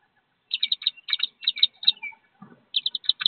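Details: Thirteen wood duck ducklings leaving their nest box, about 15 feet up, to follow their mother toward a river. Bright high peeps come in quick triplets and pairs, with a short gap before the peeping resumes.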